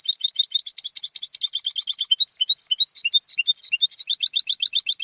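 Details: European goldfinch raised and schooled at home for song contests, delivering a continuous, varied warble of rapid twittering trills, liquid slurred notes and buzzy chatter, with no pauses and no other sound.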